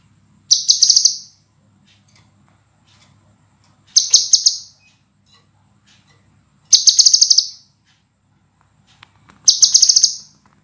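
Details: Clear, dense, sharp scarlet minivet song meant as a training master for caged birds: four piercing high phrases, each a rapid buzzy stutter lasting under a second, repeated roughly every three seconds with near silence between.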